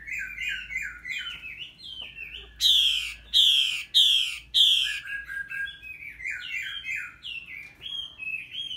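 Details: A three-moult female red-whiskered bulbul stimulating a male with lively song: a string of short warbled, up-and-down whistles, then four loud harsh rasping bursts about half a second apart, followed by more chattering warbles.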